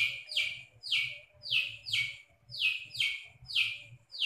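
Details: Long-tailed shrike in a mimicry display: loud, harsh, downward-sweeping chirps repeated about every half second, eight in a row, with a faint low hum in the background.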